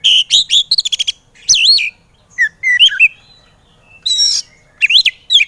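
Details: Training recording of a white-rumped shama for birds that are slow to sing: a fast stuttering run of notes, then looping whistles and clear slurred phrases with gaps.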